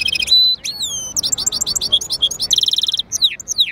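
A goldfinch–canary mule sings a fast, varied medley of bright high twitters, slurred whistles and short buzzy trills, with no other sounds.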